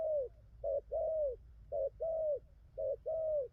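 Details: A newly caught wild spotted dove delivering a good cooing song; soft hollow coos in short-long couplets, each long coo sliding slightly downward, three couplets in a few seconds over faint hum.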